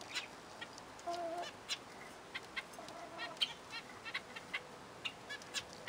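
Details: Several zebra finches chattering with a run of buzzy, nasal beeps at uneven intervals, plus one short clear whistled note near the start.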